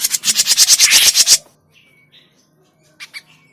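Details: Grey-cheeked bulbul sound played as a lure for trapping, a loud grating chatter of quick pulsed bursts lasting about one and a half seconds, then near silence with a few faint short notes.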